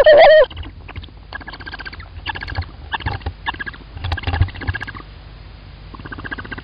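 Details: Tawny owl at an Estonian nest, 9 April 2019: the male brings food and the happy female responds with one loud nasal note, then soft chittering calls in short bursts about every half second, with faint rustling.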